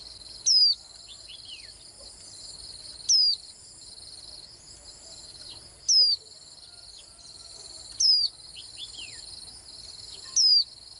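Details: Five thin, descending whistles from a Swinhoe's white-eye come at intervals of about two seconds. Fainter short downslurred notes follow some of them, all against a continuous high insect-like buzz.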